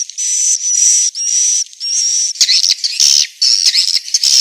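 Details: Central Sulawesi swiftlets, inap (roosting) sound: several sustained buzzy notes with a flat high whistle inside, then a quicker tumble of short, scratchy chirps and twitters.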